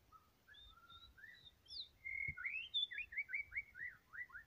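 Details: White-rumped shama song opening with soft separate whistles, then rising into a loud ringing phrase and a fast run of descending slurred notes repeated nearly three times per second.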